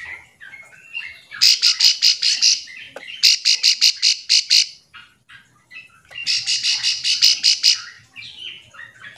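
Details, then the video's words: Bar-winged prinia calling to companions to provoke other prinias into singing back: three bursts of rapid, bright, sharp notes, about six to eight per burst, separated by short pauses, with faint softer chirps between. "Ciblek sawah memanggil teman"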